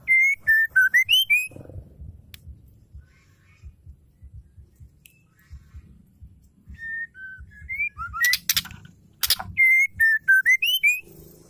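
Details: Song of a female Oriental magpie-robin, used as therapy to make males sing: a whistled phrase of dipping and rising notes opens and closes the stretch, with softer whistles and two sharp clicks between, low hum beneath.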